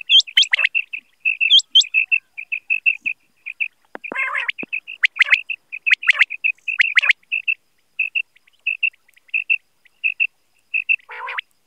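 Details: Single male quail calling, a recording used for hunting, morning and night: long runs of short, clear, mid-high notes in pairs and triplets, a few upward-hooked whistles and scattered harsh broadband bursts.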